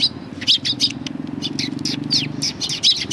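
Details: Group of sparrows arriving for food at a Tenmangu shrine approach in Japan, April 2020, chirping rapidly and irregularly with short high sweeping notes overlapping, against a constant low-pitched background drone.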